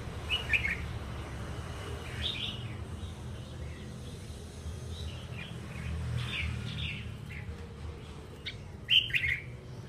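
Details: A talkative wild-caught red-whiskered bulbul, used as a lure, gives short, bright, chirping phrases in bursts a few seconds apart, over a steady low rumble of background noise.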